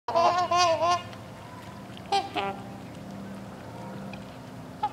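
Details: Captive hybrid swans, Trumpeter crossed with Whooper, at a bird sanctuary in Hickory Corners, Michigan; a burst of loud, nasal honks in the first second, then two more sharp honks near two seconds, over a low steady hum.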